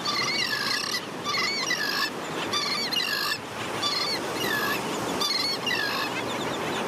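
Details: Begging juvenile royal terns at a tern colony on St. Pete Beach, St. Petersburg, Florida, pestering adults for fish; repeated wavering, ringing cries, close to one per second, over constant surf.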